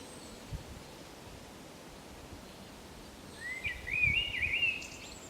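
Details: Common blackbird, Zamudio on the Camino de Santiago, 28 March 2019; after quiet background hiss and soft rustling, one quick warbling phrase of wavering, fluty notes ends in a faint high squeak.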